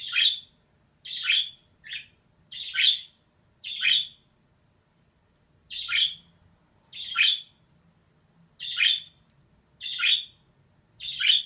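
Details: Female budgerigar calling repeatedly with loud, buzzy squawking chirps, roughly one each second, irregularly spaced with a brief lull midway; a low hum sits in the background.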